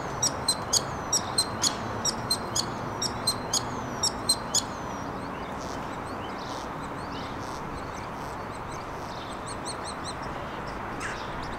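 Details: Starling courtship serenade from under a bench: rapid sharp clicks and rattling bursts mixed with short high whistles for about five seconds, then quieter scattered chatter against constant low background noise.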